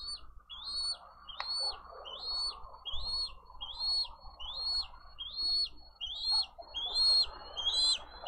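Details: Bald eagle chick begging for food at a nest in Dade County, filmed by a live nest camera on 20 April 2023; about ten thin, arched whistled peeps repeated steadily, roughly one every 0.8 seconds, over low rumbling background noise.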